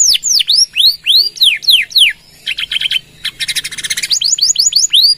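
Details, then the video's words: Canary in full 'gacor' song with long 'nembak' bursts, used to prompt and train other birds: rapid downward-sweeping whistles repeated several times a second, then a buzzy rolling trill and more falling whistles. "Suara Kenari Gacor | Full Nembak Panjang!!"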